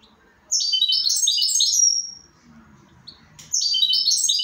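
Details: Sustained, rapid goldfinch twittering: a dense run of high, stepping notes lasting over a second, a lull with a faint chip, then another bright run starting.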